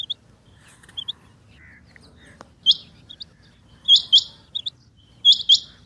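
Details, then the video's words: Female rain quail, known locally as chinga batair, calling: sharp paired notes high in pitch, each pair quick and clipped, repeated at irregular intervals with a few softer chirps between, against a faint low hum. "Rain Quail Calling | Chinga Batair Ki Awaz| Female Rain Quail"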